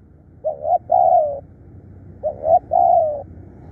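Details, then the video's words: Spotted dove used for decoy calling, described as bold and tireless, utters two coo phrases, each a brief doubled note running into a longer, slightly falling purr; quiet background. "เสียงต่อนกเขาใหญ่ ดุดัน ขยันเรียก"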